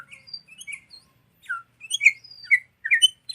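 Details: Sooty-headed bulbul song used as a lure and tutor for training songbirds: scattered short chirps and slurred notes around the middle-high range, with pauses between phrases and a quick downslurred note midway.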